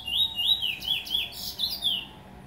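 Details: Lesser seed finch in Trinidad singing a clear, sweet series of whistled notes, each sliding down then up, delivered in a quick flowing phrase with brief twittery flourishes.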